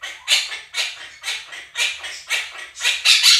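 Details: Two pet Quaker parrots screaming loudly enough to drown out playback of budgerigar chirping. Rhythmic, raspy squawks repeat about twice a second, steady and piercing throughout.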